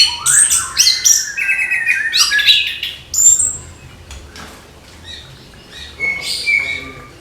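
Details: An orange-headed thrush sings in the morning: a dense, loud opening of high chirps, squeaky notes and buzzy whistles, fading to scattered softer notes and a final sharp whistled phrase.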